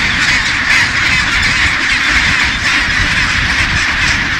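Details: Massed chinstrap penguins in one of the world's largest colonies, Bailey Head, Deception Island, South Shetland Islands; a steady wall of harsh braying and squawking from countless birds, swelling and easing slightly over a few seconds.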